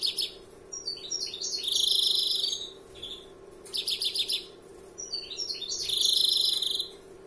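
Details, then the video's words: Larguero-style song of a first-year European greenfinch: swelling buzzy trills alternating with quick rattles and brief falling whistles, three phrases in seven seconds, steady background hum. "Verderon novel larguero alguna nota"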